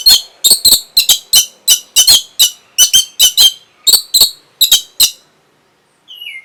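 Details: Orange-headed thrush singing to arouse breeding and invite a reply: a rapid series of short, harsh, grating notes, about three per second, stopping abruptly, followed by a faint high slurred whistle.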